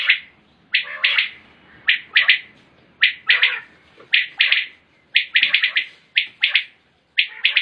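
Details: Common quail, locally batair, 2020: sharp rhythmic three-note calls repeated about once a second, sometimes run close together in quick succession.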